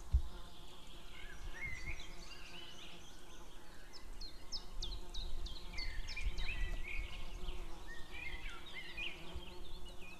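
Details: White-tailed eagles calling outdoors on 2 May 2016 just before noon, female calling with a distant male, both calling; a faint run of short, high, down-slurred yelps repeated quickly mid-clip, with other thin whistles over steady low rumble.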